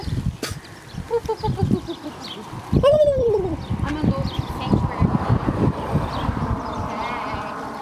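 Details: Turkey gobbling back at people enticing it: one loud, rapid rattling gobble that drops in pitch near the middle, a shorter call soon after, and human voices before it.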